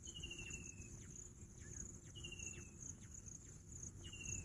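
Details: Three trilled, slightly descending whistles from a bush quail, roughly two seconds apart, accompanied by a persistent high insect drone and low-frequency background rumble.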